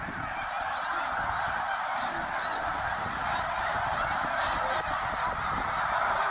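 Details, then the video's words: Eighty thousand snow geese on spring migration at Middle Creek, Pennsylvania, 2023, massing over the lake: a dense, unbroken roar of high nasal honks, overlapping yelps filling every second with no pause. "Eighty thousand Snow Geese Migration in Middle Creek 2023 / Snow Geese Bird Tornado"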